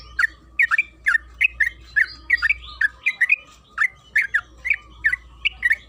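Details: Lure song of a yellow-vented bulbul (trucukan kebo): a run of sharp, rolling chirps and double notes repeated quickly, with a steady low hum underneath.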